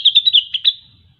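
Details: Brief 'gacor' burst from a grey-cheeked bulbul (cucak wilis): about six rapid, bright chattering notes in under a second, then quiet.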